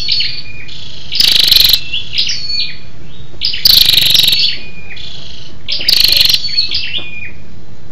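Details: Scarlet-backed flowerpecker, a female calling to stimulate males, likely caged: high thin tinny notes and short descending whistles around a steady high tone, with loud harsh buzzy bursts roughly every two to three seconds.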